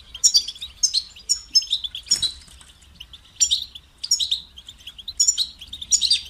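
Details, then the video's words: European goldfinch delivering short, high, twittering phrases about every half second, with bright tinkling notes and a single sharp click or rustle partway through. "motivating songs for creative goldfinches"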